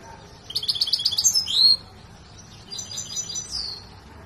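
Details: Large Himalayan saira canary singing during training near Quetta. A rapid run of high repeated notes ends in a rising sweep, then a softer, higher trill with another swept note follows.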